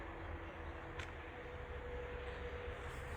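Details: Steady low vehicle rumble with a thin, constant hum and a brief sharp click near the one-second mark, with no animal voices.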